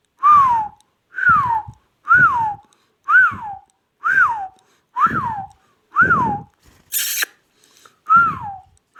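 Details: Pet ring-necked parakeet talking: a clear whistled phrase that rises then slides down, repeated about once a second for nine repeats, with breathy voiced undertones and a brief sharp noise near the end, indoors.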